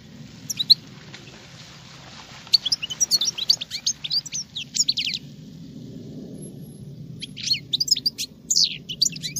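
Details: Female European goldfinch singing like a male: rapid, high tinkling twitters in bursts, densest mid-clip and again near the end, over a steady low hum.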